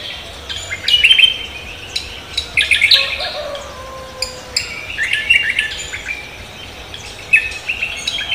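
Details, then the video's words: Cucak kombo in vigorous morning song, giving high, twittering and chattering phrases in irregular bursts, some loud and bright, with low steady background hiss. "cucak kombo koak kelapa gacor menyambut pagi"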